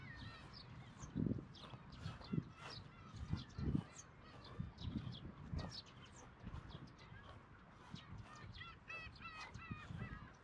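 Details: Black-tailed gulls at a breeding colony of about 30,000 birds on Kabushima, Hachinohe, Aomori, Japan, 10 June 2020, with chicks present, recorded on a GoPro HERO8: many overlapping nasal, mewing calls in quick succession, with low thumping wind and handling noise.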